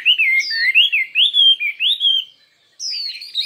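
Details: Chinese hwamei in a singing contest: a quick series of bright, looping whistled notes, each slurring up then down, followed by a short silence and a high, falling whistle.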